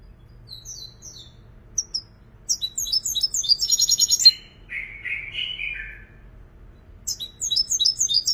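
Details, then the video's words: European goldfinch singing a varied, high-pitched song: short twittering phrases, fast buzzy trills, and a lower, slurred rasping stretch near the middle, then more rapid tinkling twitters at the end; faint low hum underneath. "حسون مبدع ما شاء الله"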